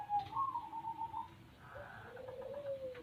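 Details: White zebra dove, described as a very vigorous singer, giving soft low cooing. A longer wavering coo is followed by a lower drawn-out note that slides downward. The sound is quiet.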